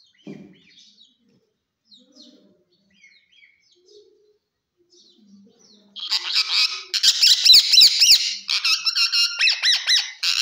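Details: Green talking parrot: a few soft, faint murmurs at first, then a sudden loud burst of harsh, buzzy chattering syllables that continues steadily to the end.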